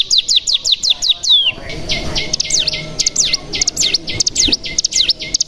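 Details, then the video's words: Bar-winged prinia (cigun) lure recording meant to make other cigun sing and 'ngebren', with its typical call, natural bren and ciblek fill-ins: a fast series of sharp high chips, then looping whistled notes sweeping down and back up. "Pancingan Cigun Bahan Agar Bunyi Langsung Ngebren"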